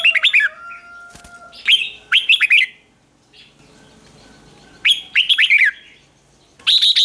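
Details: Red-whiskered bulbul singing to call wild birds: loud, clear whistled phrases of rapid, warbling notes, repeated several times with short gaps, plus a faint steady tone and a click.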